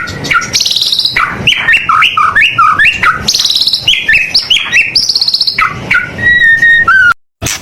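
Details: Continuous, energetic song of a white-rumped shama, meant for training other birds: fast sequences of sweet whistles, rasping buzzes and clear rising notes, ending in a sustained whistle before a brief gap.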